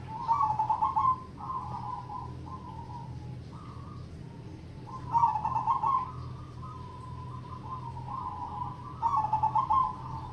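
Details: Zebra dove of local stock performing triple ketek crossing-rhythm song: three loud bursts of rapid bubbling coos, each trailing into a string of softer stepped coo notes, repeated across ten seconds against a low background hum.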